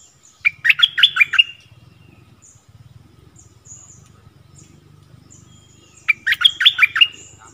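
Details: Stripe-throated bulbul song recorded 1 April 2021 during decoy luring with a caged bird; wild birds came near but did not come down, thought to have chicks in a nest. Two bubbly bursts of about six quick warbled notes, separated by a pause, over a low steady hum.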